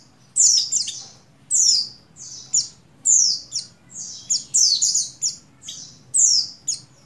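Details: Breeding-condition female Oriental white-eye calling for a male, used to trigger song in buxtoni males, dated 7/3/21: rapid series of piercing, falling chirps, sometimes doubled or tripled, nearly continuous across seven seconds.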